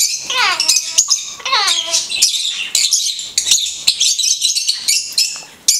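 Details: Talking blue-headed conure: early word-like voiced phrases sweeping downward, followed by a steady stream of sharp, buzzy high chirps and clicks.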